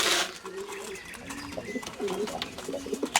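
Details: Domestic pigeons in a home loft in a garden at Meslin, France, giving low, soft, rolling coos, several overlapping indoors, with a man's voice and some knocking in the background.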